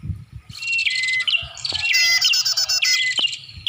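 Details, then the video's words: Bar-winged prinia calls used as a bird lure: after a quiet start, sharp high chirps build into a loud, strident, buzzy passage with piercing whistled notes. The calling continues densely to the end with short breaks. "Suara Pikat Burung Prenjak"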